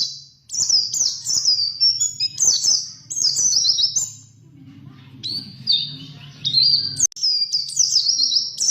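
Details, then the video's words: Training song of a pleci, or white-eye, in lasrol, ngalas, ngerol, nembak and bukpar styles for songbirds to copy: repeated high, rapid warbling phrases of sliding whistles, a brief softer pause mid-way, then dense twittering again, with low background rumble. "Suara Burung Pleci Lasrol Ngalas Ngerol Nembak Bukpar untuk Masteran"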